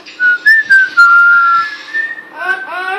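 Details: Pet parrot, a female learning to whistle for the first time, indoors: several short clear whistles and a long level one, ending with two rich harmonic arched notes.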